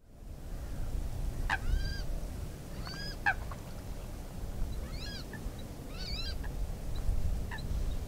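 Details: Water rail (Rallus aquaticus) in the Brabantse Biesbosch giving a series of harsh, nasal squealing calls, about one every second or so, over a steady low rumble of wind.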